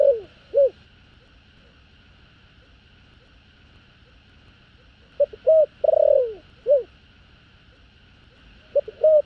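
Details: Spotted dove calling to two females in the thổ đồng song style. Short phrases of soft low coos and a long falling purr, with pauses between phrases. A steady faint electronic hum runs beneath throughout.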